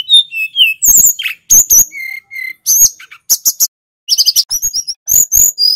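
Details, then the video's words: Gacor snowy-browed flycatcher song for training other songbirds: thin sliding whistles, sharp clicks, level high notes and quick stuttering chips, with short silent gaps between phrases. "Suara tledekan gunung gacor | Pancingan burung Sulingan bakau & sikatan laut supaya cepat fighter"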